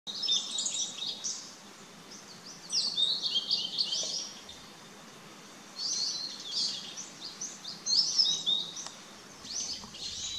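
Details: Blue-and-white flycatcher (Cyanoptila cyanomelana) song, recorded 6 May 2017: four high, clear phrases of quick whistled notes a few seconds apart, with brief quiet gaps and a soft background hiss.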